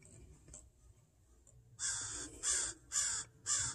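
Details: Crow protecting its fledgling from a person in a yard; after a quiet start, four loud, hoarse caws come evenly spaced about half a second apart.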